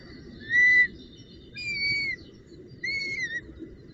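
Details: Female Northern goshawk at the nest with a branch and prey, 19 June 2018: three drawn-out, whistled wailing calls spaced about a second apart, the last dipping at its end, over a steady low background rumble.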